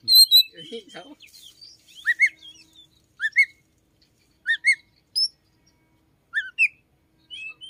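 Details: Oriental magpie-robin singing in the morning: scattered brief paired upslurred whistles repeated every second or so after a jumble of softer squeaky notes at the start.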